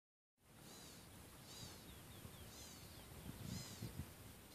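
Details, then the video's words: Very excited Black-capped Gnatcatcher calling at California Gulch in August 2014, giving thin, buzzy, slurred high notes, about one per second, over a steady low rumble of wind. "Calling Black-capped Gnatcatcher"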